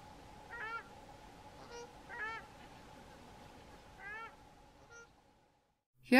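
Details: Pair of South African Shelducks duetting, which strengthens the pair bond; repeated honking calls with stacked nasal harmonics, spaced about a second apart, over a steady background hum, ending in a sudden loud noise.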